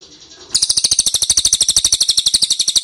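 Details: Ashy tailorbird lure call used to make wild birds answer: after a faint start, a fast, even series of high, buzzy chipping notes runs steadily at about eight to nine per second.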